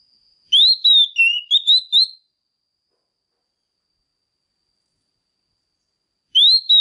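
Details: Female Oriental magpie-robin singing to stir up males: a quick run of clear whistled notes, rising and wavering, lasting about a second and a half, then long silence before another whistled phrase starts at the end.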